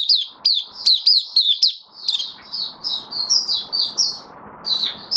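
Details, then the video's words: Kept white-eye given deworming and health supplements, 18 May 2022, singing loud, high, rapid down-slurred chirps that soften into a gentler twittering run. "Mata Puteh Kitaro buka sing"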